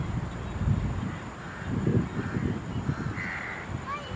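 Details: House crows mobbing a black-winged kite at Pallikaranai Marshland Park, Chennai, India; harsh drawn-out caws from several birds over heavy low rumbling wind noise, with a brief higher squeal near the end.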